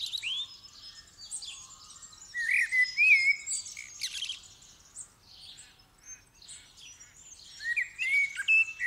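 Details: Common blackbird in full dawn chorus as the sky begins to lighten, December 8, 2019, stereo recording: mellow whistled phrases with slurred rising and falling notes, mixed with scratchy high chatter and faint distant birds.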